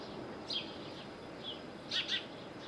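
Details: Little owl near Bostonia village on Corfu, Greece: a few faint, sharp, high notes, one near half a second and a close pair around two seconds, over steady background hiss.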